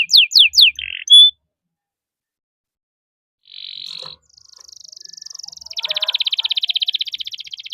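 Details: Canary song used as a master and lure for young canaries: a few sharp descending notes, then after a pause a buzzy rattle and a long, fast, even trill around the high pitch range.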